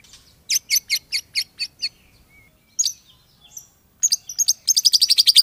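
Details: White-rumped shama, a kept bird, singing: bursts of rapid sharp chirped notes repeated about four per second, a pause with a thin whistle, then a fast rattling run of high metallic notes at the end.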